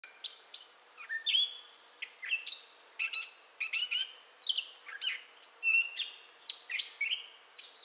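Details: Gray catbird singing in southwest Michigan in May 2011: a rambling, unbroken run of squeaky, chattering and whistled phrases, each note different, about three or four per second, with a faint hiss beneath.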